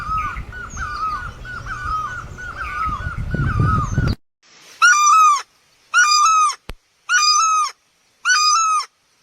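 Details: Great barbet from Asia, Thai name นกตั้งל้อ, first heard as a distant run of dipping notes, then close and loud: long, nasal, wailing calls rising then sagging, spaced about a second apart, separated by silence.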